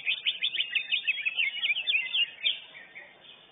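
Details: Contest-winning lesser green leafbird at a singing competition delivers a fast run of bright, slurred whistled notes, roughly eight per second, ending in a brief louder flourish before fading.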